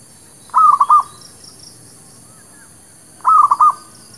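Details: Lure recording for trapping, played to new birds: a Zebra dove (merbuk kampung, perkutut lokal) gives two soft trilled cooing phrases of four beats, about three seconds apart. Faint high twittering sits in the background.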